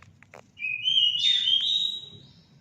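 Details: Orange-headed thrush song meant to spur pet birds to sing: a few dry clicks, then one drawn-out, rising and wavering clear whistle with a buzzy high edge, over low background rumble.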